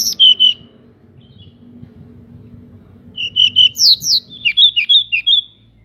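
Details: Local pied bushchat singing busily with wings spread, recorded to rouse other bushchats: an opening whistled phrase, a long pause, then a quick jumble of sweeping, flat and chattering notes.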